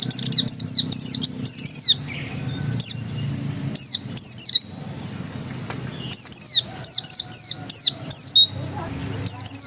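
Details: High-pitched ngotot song of an oriental white-eye (pleci dakun): bright, descending squeaky whistles repeated in quick clusters, broken by brief quiet spells, a faint hum underneath.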